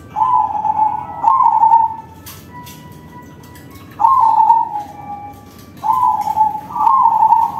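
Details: Loud-voiced crossbred zebra dove song, a lure to get other doves singing: four purring, vibrating coo phrases in two pairs, each pair a short burst then a longer trill, separated by a two-second pause.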